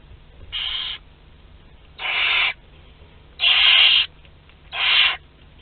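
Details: Barn owl chicks two to twelve days old at a communal feed in Théding, France, 29 April 2021, give four harsh hissing screeches, growing louder, about every 1.4 seconds, against quiet background hum.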